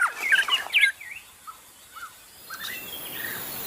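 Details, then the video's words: Wild magpie-robin singing in forest, recorded as a training song: a loud burst of bright, varied whistles and chirps in the first second, then softer scattered slurred whistles over quiet background hiss. "Masteran suara burung murai asli di hutan"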